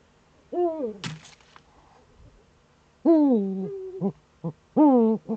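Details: Eurasian eagle-owl (Uhu) in the Eifel, morning of 26 September 2013 between 07:04 and 07:23: drawn-out, nasal, arching calls that fall at the end, with short clipped notes between them.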